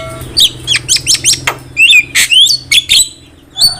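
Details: Javan myna song, used as a lure for trapping. A series of short, hooked whistled notes, each a little under a second apart, with one harsh chip in the middle, followed by a final whistle after a short gap.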